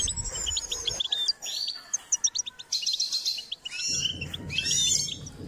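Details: Singing goldfinch from a training session to enhance its song: rapid tinkling trills and clipped chirps in several bursts, with low background rumble near the start and end.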